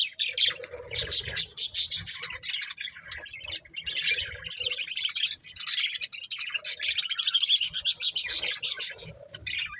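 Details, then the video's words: Several budgerigars chirping while eating corn: dense, continuous chatter of warbling, squeaky twitters and scratchy chirps from multiple birds, with only brief lulls. "Cute Budgies Enjoying Eating Corn | Love Birds Chirping Sounds"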